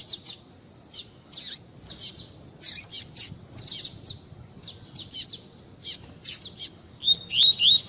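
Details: Female double-collared seedeater calls meant to warm up a male's tui tui song: steady high chirps in irregular clusters over eight seconds, closing with fast whistled slurred notes and louder chirping.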